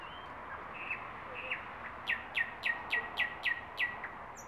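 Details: A thrush nightingale (Luscinia luscinia) singing on a branch gives a few soft slurred whistles, then a fast series of about eight sharp, loud chock notes, roughly three per second.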